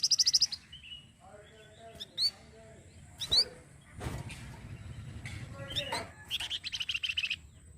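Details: Flamboyan singing as a training model for songbirds: a high rattle opens, followed by sharp upward-sweeping chirps and softer notes, then a long buzzy trilled run near the end; faint low noise beneath.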